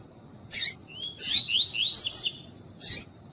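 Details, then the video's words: Double-collared seedeater, a female calling to stimulate the male: a short harsh chip, then a run of quick high whistled notes sliding up and down, ending with another harsh buzzy note; steady low background hiss. "COLEIRO TUÍ-TUÍ COM FÊMEA CHAMANDO PARA ESQUENTAR COLEIRO TUI TUI"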